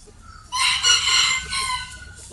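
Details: Rooster crowing in the early morning: a single loud, hoarse cock-a-doodle-doo lasting about one and a half seconds, rising then falling away, with faint low background noise.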